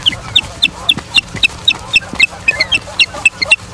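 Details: Osprey calling at a nest in Charlo, Montana, on 9 September 2023 at 18:51, on a nature live cam: a steady run of about fifteen short, high, sharp chirps, roughly four per second, over faint low background noise.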